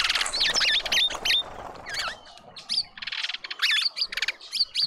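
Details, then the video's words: Mousebirds gathered in a suburban garden with a feeder in Pretoria, South Africa: harsh buzzy chattering bursts mixed with high wavering whistled notes, tumbling rapidly over one another in quick irregular succession. "Mousebird party"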